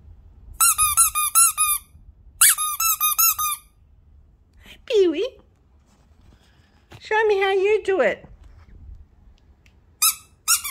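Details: Pet bird indoors imitating a duck at its owner's request: bursts of high, squeaky harmonic chatter, a descending squawk, then a lower, nasal, quacking-like phrase, ending in short sharp squeaks in a small room.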